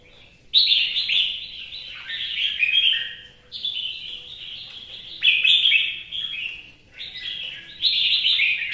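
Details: Red-whiskered bulbul, a Vietnamese cage bird, singing in the rain with four loud bursts of fluty, chattering warbles spaced a couple of seconds apart, each dropping in pitch as it trails off.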